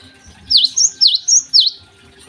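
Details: Java sparrow singing actively in the morning: five sharp, bell-like V-shaped notes in quick succession, each dipping and rising, over a quiet background.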